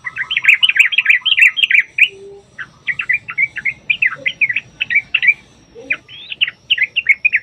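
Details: Lively 'gacor' yellow-vented bulbul, trucukan, singing long 'ropel panjang' runs meant to draw other bulbuls into answering: dense, rapid bubbling phrases with a brief gap at two seconds, then more jerky rising and falling notes throughout.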